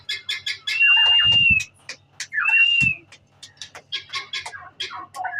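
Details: Turkey chicks giving a busy stream of short high peeps and chirps, overlapping and irregular, with two longer steady whistled tones and a few low rustling thumps.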